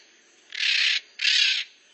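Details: Two long, harsh, raspy squawks from a maritaca making noise, each about half a second, close together.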